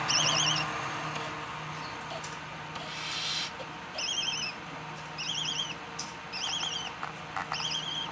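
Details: Northern white-faced owl chicks, alongside barn owl chicks, give short, high, wavering trilled chirps, each about half a second, repeated at uneven intervals with faint background rustling.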